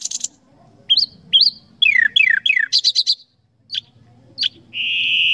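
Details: Common nightingale (Luscinia megarhynchos) song: varied phrases of rising whistles, falling slurred notes, a quick burst of repeated chips, then a long steady high note.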